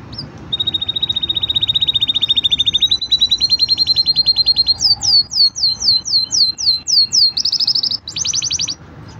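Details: Singing green canary delivers a long rapid trill that rises slightly, then a series of about nine sweeping whistled notes and a closing buzzy trill.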